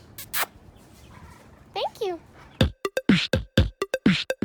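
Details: A pet Quaker (monk) parakeet in Texas talks in clipped, speech-like syllables, ending in a fast run of repeated short words.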